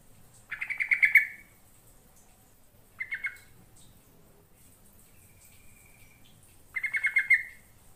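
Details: Song of a yellow-vented bulbul, used as a lure to draw other birds to reply: three quick gurgling phrases of tumbling notes, the middle one short, spaced a few seconds apart, with a thin steady whistle between them.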